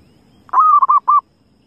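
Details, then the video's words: A wild zebra dove calls once: a soft, level, mid-pitched coo that wavers into rapid short notes and ends with one separate clipped coo, with little else heard. "suara perkukut liar"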